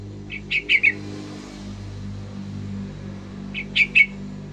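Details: Young yellow-vented bulbul learning to sing continuously in the ngacor style; two short bursts of three bubbly chirps each, early and near the end, separated by a quiet gap over a steady low hum.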